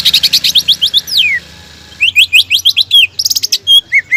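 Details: Greater green leafbird in full, active song, used as a lure to provoke rival birds into singing their repertoire: quick runs of clear slurred whistles, one long descending whistle, a short pause, then more whistled slurs and rapid high trills.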